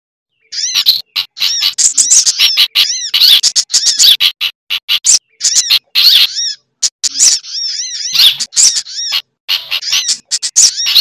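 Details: Sunbird (sogok ontong) lure recording, busy and mixed with bulbul chatter and other sunbird-like birds: dense bursts of high, arched, chevron-shaped chirps, rapid and overlapping, with short gaps, no background noise.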